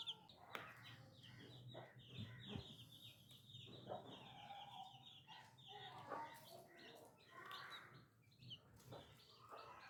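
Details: New little chicks chirping in high, rapid peeps, joined by lower clucking notes and occasional soft fluttering or scratching sounds.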